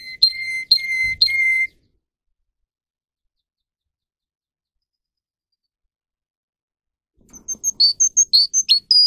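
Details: Russian canary bred for singing, song for training canaries: three clear whistled notes, a long silence, then a rapid string of high sharp chirps at the end.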